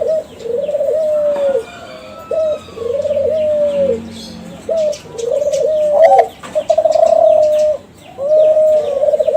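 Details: Captive Kelantan-type spotted doves from a contest-champion line, played as a lure to set other doves calling. Low, smooth, slightly arched coos repeat in bursts with short gaps, with faint high chirps from other birds behind.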